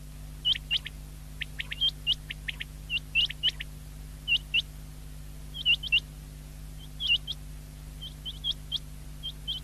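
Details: Several common quail (batair), recorded 19 February 2024, giving dense overlapping bursts of short, high, upward-flicking whistles in twos and threes, repeated irregularly throughout against a low steady hum.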